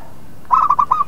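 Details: Local zebra dove lure song meant to make other birds answer: after a brief quiet start, a burst of four to five short, mellow cooing notes follows in rapid, slightly uneven rhythm at a steady pitch.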